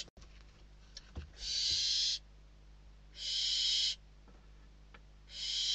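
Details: Barn owl chicks fight over a food delivery inside their nest in Spain, winter 2023. After a few soft taps, three hoarse hissing screeches follow, each about three quarters of a second, spaced nearly two seconds apart.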